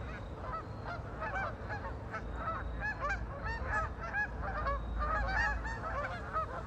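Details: Ducks on a lake calling in a busy overlapping chorus of short honking, nasal notes, many birds at once, with a steady low rumble of background noise underneath.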